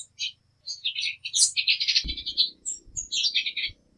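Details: Dense chattering of a Latin American tanager, quick high twittering phrases running almost continuously, over a faint low hum and a few dull low thumps.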